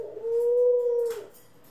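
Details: One of several pet doves (ringneck, Senegal, hybrid), April 25, 2021, utters a single sustained, pure-toned coo of about a second, ending with a soft click.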